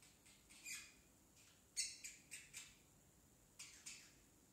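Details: Young male pet parrotlet still a baby, babbling "tickle tickle"; a run of crisp, clicky high syllables with sharp onsets, several in quick succession, then two more after a pause.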